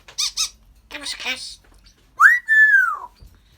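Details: African grey parrot indoors making short squeaky speech-like syllables, followed by a loud clear whistle that rises then slowly falls, alongside a person's voice coaxing it.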